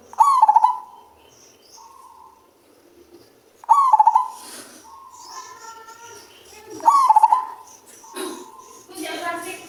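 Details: Male zebra dove singing in a bass voice gives three stuttered cooing phrases about 3.5 seconds apart, each drawn out into a low hum, with some rustling and other noises between and after the calls.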